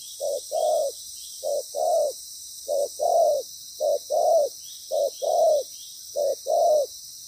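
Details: Loud decoy spotted dove with a good voice calling during trapping: six pairs of mellow coos, each a brief note then a fuller, longer one, spaced just over a second apart, steady high-pitched hiss behind.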